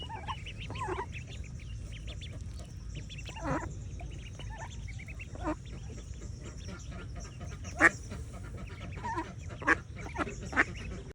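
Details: Mallard ducklings on a morning swim with their mother give scattered short, high peeps, with brief quacking notes at irregular intervals over a low rumble of water.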